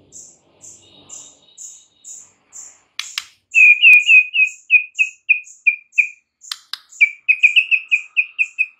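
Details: White-rumped shama singing in the morning: a run of short, high chirps gives way to loud, clipped whistled notes repeated about four per second, with a few sharp clicks between phrases.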